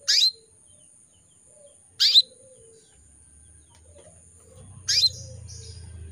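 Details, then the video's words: Caged female canary from Indonesia, in breeding condition, calling males: three sharp, high chirps spaced about two to three seconds apart, with a low rumble rising toward the end and a faint steady high hiss. "PANCINGAN KENARI BETINA MEMANGGIL JANTAN"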